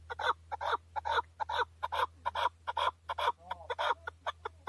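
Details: Loud chukar call from a male bird recorded in Tajikistan in 2020, hoarse chuck notes repeated over two per second in a quickening, uneven rhythm, with a faint low hum beneath.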